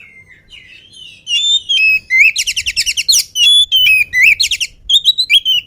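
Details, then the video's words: Before its feed, a lively oriental magpie-robin sings vigorously: a soft opening whistle, then a long run of loud rapid trills and sharp whistled notes, rising and falling, nearly continuous. "KACER GIRAS/GESIT BELUM MAKAN VOUR GACOR"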